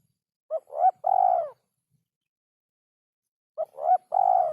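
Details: Spotted dove (derkuku) song in a rare rhythm: a three-part phrase of a short coo, a rising note and a long burry coo, given twice about three seconds apart.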